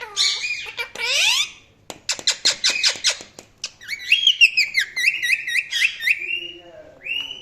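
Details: Chirping Indian ringneck parrot at home: rasping downward-sweeping squawks, a burst of rapid clipped notes, then a long chain of quick wavering chirps ending in a rising whistle.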